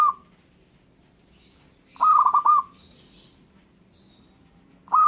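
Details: Local zebra dove song with other birds responding: a rolling, stuttering coo phrase of quick trilled notes, with phrase edges at the start and end, while faint high chirps from other birds sound between phrases.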